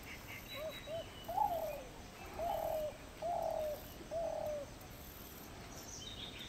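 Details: Spotted Dove in an Indian forest giving soft, low coos: two short notes, then a series of longer, slightly falling coos about a second apart, with faint higher calls of other birds behind.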